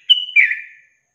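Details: Trucukan, or yellow-vented bulbul, in a songbird training recording of long-trill song: one brief high pure whistle dropping into a rich, warbling, downslurred note that fades out.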